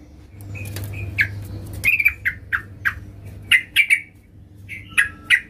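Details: Sooty-headed bulbul female calling for the male: scattered squawky chirps and short slurred notes in uneven bursts, some doubled, over low background hum.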